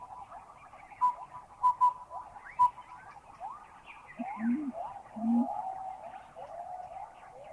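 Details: Collared owlet from Thailand giving its piping hoot: short, level, whistled notes, one, then a quick pair, then one more. Rising whistled sweeps and low calls from other birds follow.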